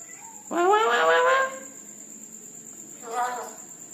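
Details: Night-time red-breasted parakeet gives a long, harsh, nasal squawk rich in overtones lasting about a second, followed after a gap by a shorter, softer squawk, with a constant thin high tone behind.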